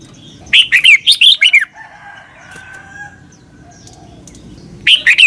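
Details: Red-whiskered bulbul song in the doubled southern master style, used to teach young birds. One full phrase of six or seven quick, liquid whistles, then a soft faint note, then the start of another phrase.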